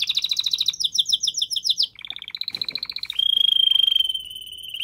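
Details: Canary singing vigorously to make the female ready to mate: rapid paired-note trill, a series of rising chopped notes, a lower quick rattle, then a long pure steady whistle-like trill.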